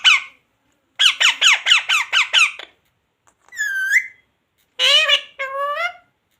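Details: Talking parrot in a room: a quick run of squeaky repeated syllables, then a rising whistled note and two voice-like harmonic utterances.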